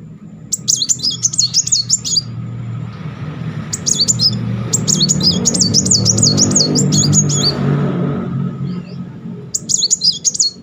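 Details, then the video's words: Sunbird in continuous song as a lure for silent birds: bursts of fast, wavy, piercing high twitters separated by pauses, with a rumbling low noise like passing traffic in the middle. "Kolibri Muncang gacor ngeroll || pancingan terapi memancing emosi Muncang macet."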